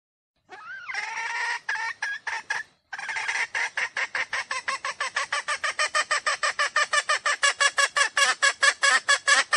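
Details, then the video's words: Decoy hen sound meant to call wild roosters in quickly: a rising squeal, a brief break, then a long, accelerating series of rough, regular clucks. "Tiếng gà mái mồi 2022 chuẩn nhất để dụ bổi / tiếng gà mái chuẩn"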